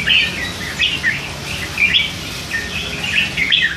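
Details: Caged three-month-old hand-raised red-whiskered bulbul chattering, with occasional song phrases slipping in: rapid, bright twittering notes in clustered bursts about every half second to second, some rising and some falling, over a faint low hum.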